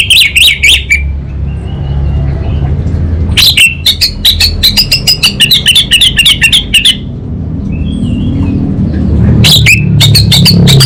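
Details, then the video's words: Orange-headed thrush in lively song, kabel konslet style continuing into ngeplong: quick bursts of high, buzzy notes separated by quieter spells, with one long rattling run of rapid chirps lasting about three seconds, over a low rumble. "ANIS BATA Berkicau Gacor Membuat Burung Cepat Tanggap dan Respon Kabel Konslet Lanjut Ngeplong"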